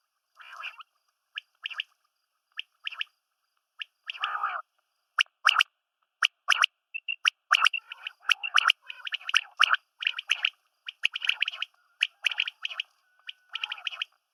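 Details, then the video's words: Quail, female and male calls mixed, used to lure quail for hunting: short, sharp chirping notes and brief rasping bursts, scattered and then crowding together about once a second, with no other sounds. "Female Batair Calling | Male Batair Sounds | Mix Calling | Batair Ki Awaz | Female Quail Sounds"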